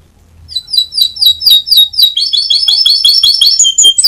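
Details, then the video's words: Champion canary song used to train birds: loud slurred chirps repeated about twice a second, quickening into a fast run of bright notes with clear whistled tones near the end. "Masteran Kenari Juara Lomba"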